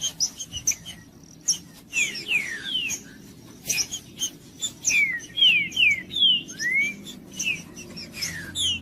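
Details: Green-winged saltator song used to stimulate a cold saltator: sparse whistles at first, then a phrase of clear downslurred notes ending in an upward sweep, over faint steady background hum.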